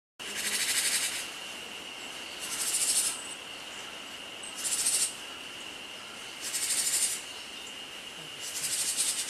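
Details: Japanese tit jar-jar alarm call, the call given on meeting a snake, played from a speaker with no snake present. Harsh, buzzy rasping bursts repeat about every two seconds over a steady electronic hum.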